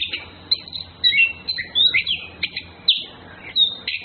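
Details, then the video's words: Orange-headed thrush males and females courting, a rapid series of short chirps and sliding whistled notes, high-pitched and repeated in quick bursts about every half second, with faint low background hum. "Birds Anis Kembang flirting Males Females birds"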